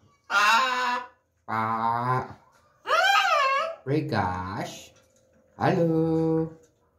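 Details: Blue-and-yellow macaw laughing and talking, saying its own name: five drawn-out, harsh yet voiced 'ah' utterances about a second each, separated by short pauses, with a rising-and-falling laugh-like middle phrase; quiet indoor room.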